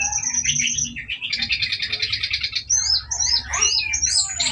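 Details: Brown-chested jungle flycatcher lure song for provoking fighters: a rapid series of buzzy repeated trilled notes and bouncing upslurred whistles, set against constant low rumbling background noise.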